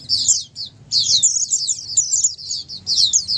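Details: Oriental white-eye flock song to coax a silent white-eye into singing; a short burst, then a long run of shrill, tightly packed twittering trills, faint low hum underneath.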